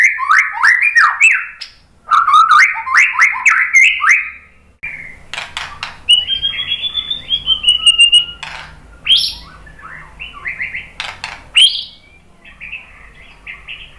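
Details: White-rumped shama singing to provoke other birds into song. Clusters of quick warbled and slurred whistles are broken by pauses. A long, steady high whistle appears midway, and scattered sharp notes follow.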